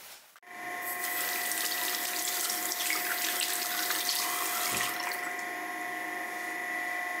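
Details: Loud rushing water hiss with steady tonal whine, like a running tap or pump, and no animal sounds.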